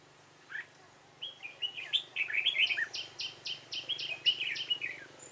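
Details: Red-whiskered bulbul, dark-bibbed type, calling at a decoy trap on 28 February 2017. A warbled, chattering phrase runs into a steady series of about eight short, clipped notes, with other bird calls faint behind.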